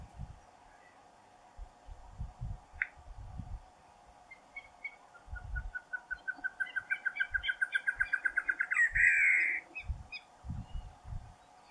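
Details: Female great antshrike (Taraba major) singing in the Caatinga, Brazil: a rapid run of notes speeding up and rising slightly, ending in a harsh snarl.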